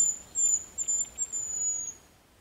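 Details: A Hazel Grouse, a secretive, sedentary bird of richly structured mountain forest, sings a very high, thin, drawn-out whistle lasting about two seconds and wavering slightly, over faint hiss. The song is one way the species betrays its presence.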